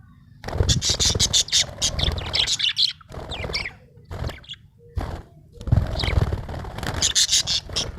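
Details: A happy budgerigar chatters almost nonstop, with dense, scratchy, buzzy chirps broken by brief pauses, plus some low thumping underneath.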